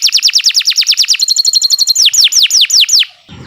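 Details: Canary singing continuously, used as a training recording for other birds: a long run of descending whistled swoops, broken midway by a quick, even trill before the swoops resume and then stop.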